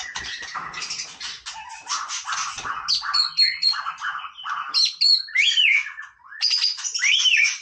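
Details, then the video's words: White-rumped shama singing casually: dense, harsh chattering gives way to high, piercing whistles and slurred up-and-down phrases. "นกกางเขนดงร้องเล่น Shama Bird"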